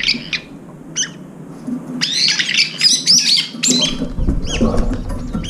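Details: Brown-eared bulbuls visiting a window feeder, coming two or three at a time to feed around a food bowl; loud, harsh screechy squawks with rising and falling bends, several overlapping in a burst, with faint thumps and clatter from the birds.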